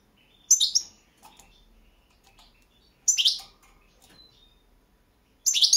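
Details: Goldfinch of the Balkan subspecies, competition recording from the 2022 World Championship in Goldfinch Song held in Serbia: short bursts of high, bright twittering about every two and a half seconds, separated by near silence with faint soft notes.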